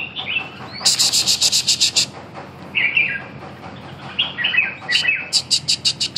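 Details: Red-whiskered bulbul with fluty warbled phrases alternating with bursts of rapid, high, harsh chattering notes repeated several times a second.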